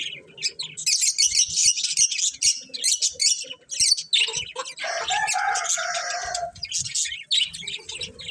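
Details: A flock of colourful budgerigars keeps up a steady high twitter, broken midway by a longer, grating, buzzy warble before the rapid chirps resume.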